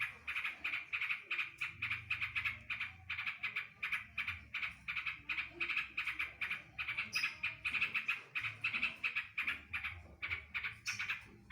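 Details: Trucukan, the yellow-vented bulbul, delivering full green leafbird 'tembakan' imitation: a steady, pulsing series of sharp chattering notes, roughly three each second for over ten seconds, with a low background hum.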